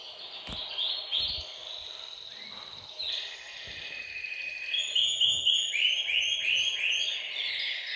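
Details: Group-singing canaries in a bird room to encourage males to sing and females to breed; varied phrases with sharp clicks early, then a fast, evenly repeated series of rising notes and trills in the second half.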